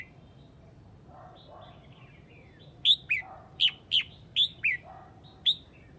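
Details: Calling its flock, a Huế red-whiskered bulbul repeats sharp, downward-slurred chirps, about seven spaced over three seconds, over soft low hooting notes from another bird.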